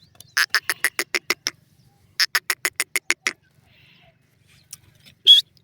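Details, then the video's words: Francolin (teetar) calling: two quick bursts of about eight harsh, rasping, evenly spaced notes each, then a brief high squeal. "teetar ki awaz"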